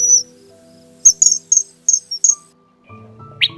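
A kingfisher gives a quick run of five or six shrill, very high piping notes. Faint musical tones follow at the end.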